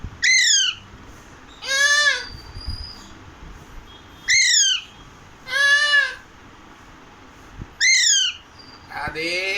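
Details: Pahadi parrot, an Alexandrine parakeet, speaking "Radhe Radhe" over and over: five strong, raspy, nasal syllables spaced about two seconds apart, followed by a brief faint scratchy sound at the end.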